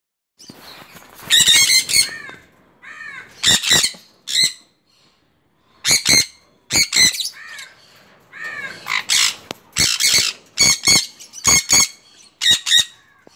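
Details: Five-month-old sun conure offered for sale, giving loud, harsh, grating squawks in rapid bursts, about a dozen over the recording, with softer raspy chatter between the outbursts and brief silent gaps.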